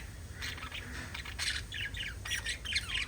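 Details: Five budgerigars kept at home warble softly in rapid, scratchy chirps and little wavering whistles over a low background hum.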